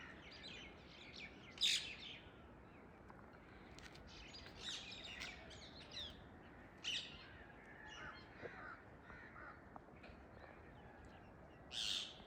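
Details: Wild free-flying Indian ringneck parakeets perched in a tree in the early morning; sharp high chirps and squawks come in scattered bursts, with louder harsh calls near the start, middle and end, over steady outdoor background noise.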